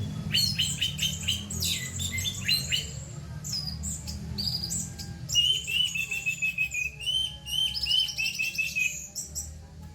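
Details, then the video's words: Orange-headed thrush singing dense, loud bursts of song called tembakan, with rough material: rapid chattering and whistled phrases, buzzy trills and sharp notes packed closely together throughout, over a steady low hum. "tembakan anis merah rapat vol tembus materi kasar"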